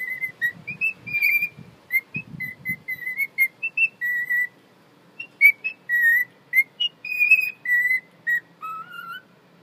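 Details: Young dwarf chicken, unsteady and sick with a suspected brain injury, back home after a week at the vet: short, high, whistled peeps in quick series, some rising or falling, with soft rustling in the background.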